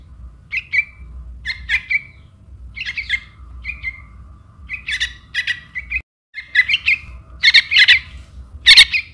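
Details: Buff-banded Rail chick begging from its mother, recorded as a lure call: a long run of short chirps and grating squawks roughly once a second, with a brief silent break and louder harsh notes at the close.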